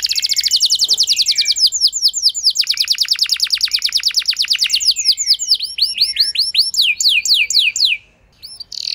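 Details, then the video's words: Canary song meant to coax a less eager canary into long singing; extended runs of rapid down-slurred notes shifting into looped, bouncing phrases, briefly stopping near the end. "Pancingan Ampuh Bikin Gacor Kenari Kurang Emosi! Jadi Gacor Panjang"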